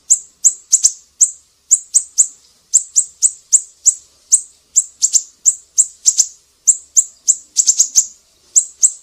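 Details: Siri-siri singing in a tutor recording for songbirds such as leafbirds, shamas and magpie-robins: a steady stream of thin, very high chips, some single, some in quick pairs and triplets, with no other sounds.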